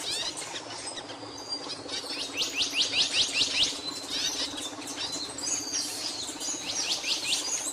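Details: Singing capuchino seedeater delivers a quick series of sharply falling high strokes, repeated several times in a row, followed by a pause and another brief burst of descending notes against constant background noise.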